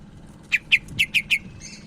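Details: Cak ijo Medan, Sumatran leafbird, singing for a tutoring recording: five short, clipped downward chirps evenly spaced about a fifth of a second apart, slightly faint over a low hum.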